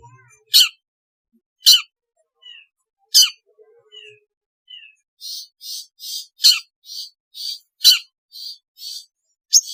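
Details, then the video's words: Long-tailed shrike sound used as therapy to get lazy shrikes singing: sharp, harsh strikes spaced about a second apart, with short nasal notes, then a fast series of rasping, buzzy chattering notes interleaved with the strikes. "suara asli cendet untuk terapi cendet malas bunyi agar gacor"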